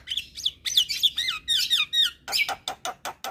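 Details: A caged Javan myna sings a series of slurred, downward whistled notes, then a run of short harsh clicks repeated about every quarter second.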